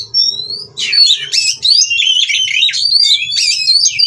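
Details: White-rumped shama, a captive bird singing during mating to urge rivals to respond; opens with two clear high whistles, then a rich rushing sequence of warbles, sweeps and chirps, faint hum underneath.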